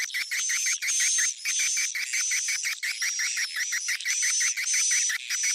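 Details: Swiftlet attraction sound, 'Sp Tarik Onar' type, for calling edible-nest swiftlets: a dense train of short twittering chirps, roughly two per second, beneath a continuous shrill whistle with slight pitch wavers.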